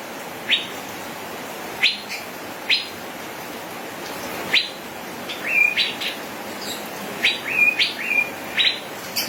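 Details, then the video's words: Male Asian fairy-bluebird, called cucak biru, in gacor ropel song: separate sharp rising chips at first, then denser bursts of chips mixed with short level whistles toward the end, over hiss. "suara kicau burung cucak biru jantan gacor ropel"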